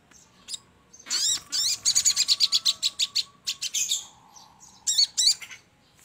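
A Crimson Sunbird gives a fast run of thin, high, sharp chirps, about three per second, with brief pauses and a few louder squeaky notes at the end.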